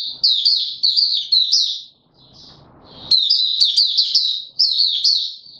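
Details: White-eye, a male kept bird being brought into form, singing its opening song on 31 December 2021: rapid high twittering runs, a short break with soft rustling, then a louder, busier warble resuming.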